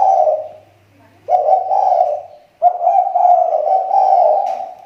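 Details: Spotted dove used as a decoy bird in the Riau Islands, recovering its voice: three rich, hoarse coo phrases, the last one drawn out and rolling, with brief silent gaps between them.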